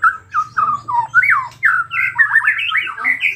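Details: White-rumped shama song meant to draw other shamas into singing; short whistled notes come about every third of a second, building into a dense stream of twisting, slurred phrases over a soft low hum.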